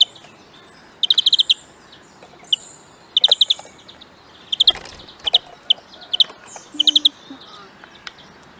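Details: European greenfinch in song training, with rapid rattling trills of five or six notes alternating with single sharp chips and some higher thin whistles in the background.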